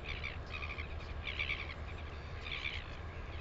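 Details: Northern royal albatross, New Zealand, 9 September 2020. Several bright, rich-toned call bursts, each about half a second long, come at uneven intervals over a constant deep wind roar.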